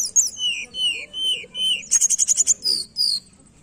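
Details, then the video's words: Lure song of a tledekan for encouraging a lazy singer: sweet falling whistled phrases, then a fast trill of high ringing notes and two longer buzzy whistles. "Pancingan tledekan malas bunyi"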